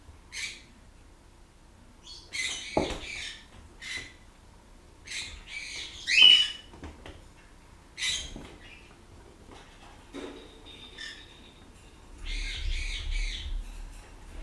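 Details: Blue-crowned parakeet kept as a pet, squawking while its owner scratches it, recorded 15 August 2014; scattered harsh, raspy squawks in short bursts with pauses, some louder, plus faint rustling.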